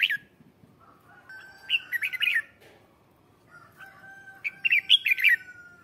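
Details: Red-whiskered bulbul decoy singing to draw wild white-cheeked bulbuls, two warbled chirping phrases over a long steady whistle-like tone in the background.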